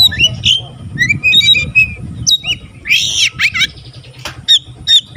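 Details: White-rumped shama singing, tail spread, said to stir other shamas to sing: scattered whistled notes and chirps with harsh broadband squawks, over noticeable low rumbling background noise.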